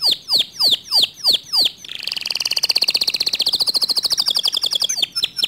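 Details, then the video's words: Canary singing, a song said to provoke other canaries to join in. Six loud, downward-sweeping whistled notes open the phrase, then a rapid buzzy trill of even repeated notes runs for about three seconds before closing with a few sharp chirps. "Suara Kicauan Kenari ini Sering Kali Memancing Emosi Kenari Lain Agar ikut GACOR DOR"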